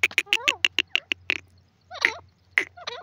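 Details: Grey francolin, locally called dakhni teetar, calling loud and clear: a fast run of sharp clicking notes, then a pause and a few wavering, ringing calls, over a low steady hum.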